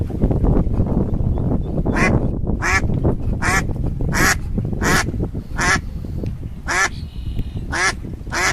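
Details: Ducks swimming in a pond with ducklings: about ten loud, harsh quacks, each a short nasal burst, repeated roughly every half to one second over a heavy low rumble that may be music.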